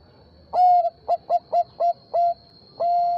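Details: Zebra dove of the Bangkok type answering a rival with its song: a clear sequence of a long coo, five short evenly spaced notes and a drawn-out final coo, loud over a quiet background.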